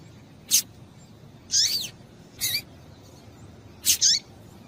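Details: Female double-collared seedeater call meant to stimulate the male: a loose series of short, sharp, high notes, some given as quick doubles, irregularly spaced, over a quiet background.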